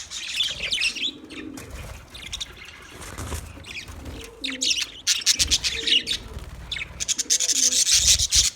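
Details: Budgies chirping in uneven bursts: high, scratchy warbling chatter rises and falls, with short lower whistled notes repeated in the second half.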